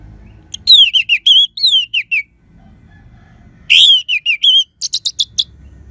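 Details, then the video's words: Orange-headed thrush in full persistent song with a clear 'crystal' voice, used to stir listless birds into singing: two bursts of quick high whistled notes, several descending slurs, then a run of short bright chirps, with quiet pauses between. "Gacornya ANIS MERAH Suara Kristal Bagus Untuk Pancingan Burung Lemas ataupun Macet"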